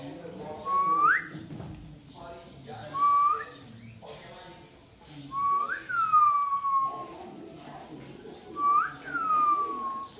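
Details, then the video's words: Pet rose-ringed parakeet couple talking: a sharp rising-then-falling whistle repeated about every two to three seconds, mixed with soft garbled chatter and background murmur. "Most Cute Parrot Talking Couple | Ringneck talking mithu parrot tota"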